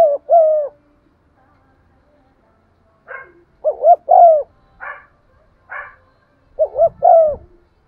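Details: Cooing spotted dove, used to excite decoy birds: soft three-part phrases of two quick hooting notes and a drawn-out note, separated by long gaps, with some brief higher rough calls in between.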